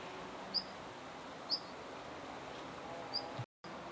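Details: Park recording of a Siberian long-tailed rosefinch: three brief high-pitched whistled calls at irregular intervals, fairly faint against constant low rumbling background noise, with a short dropout near the end.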